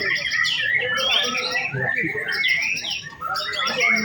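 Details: White-rumped shama singing during an afternoon contest simulation at routine practice on a contest hanging stand; a loud, fast jumble of whistled and chattering phrases sweeping high and low, overlapping with other birds and people talking.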